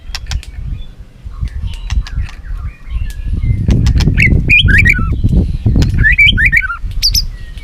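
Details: White-rumped shama in a singing contest, flicking its tail: sharp clicks and ticks open, then bright, twisting warbled phrases rise and fall in quick bursts, over a constant low background rumble.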